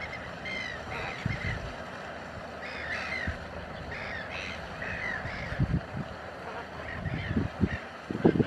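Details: Chilean flamingos at Laguna Negra in a large flock, giving overlapping nasal, goose-like honks and higher chattering notes that form a constant din, with low wind rumble and occasional sharp knocks.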